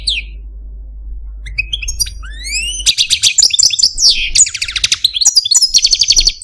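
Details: Pet Algerian Parva goldfinch, a caged male, opening with a descending note and upslurred whistles, then bursting into dense buzzy trills and rattling twitters.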